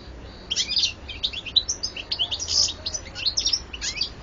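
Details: European goldfinch singing a continuous, fast, liquid twitter of high chirps and trills, with no break across four seconds, over faint low hum.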